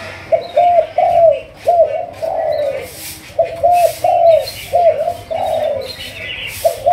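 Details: Malaysian-line spotted dove of the 'thúc gù' strain being trained as a decoy. Its soft, hollow coos come in paired, slightly drawn-out notes in two bursts separated by a brief pause. Faint chirping sounds in the background.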